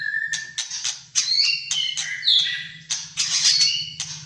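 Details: Malaysian white-rumped shama in vigorous fighter-style song: varied loud whistles and harsh squawky phrases in quick succession, above a low continuous hum.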